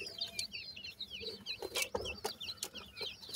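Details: Soft, continuous high peeping from francolin (teetar) chicks at feeding time: short looping whistles repeated rapidly, with occasional ticks and knocks below.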